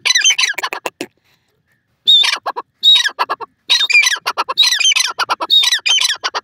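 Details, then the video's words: Francolin (teetar, dakhni teetar) from Pakistan giving loud, harsh, grating call phrases of rapid rattling notes, in three bursts separated by short silences, with no other clear sounds. "partridge voice,bird teetar awaz,dakhni teetar big sound"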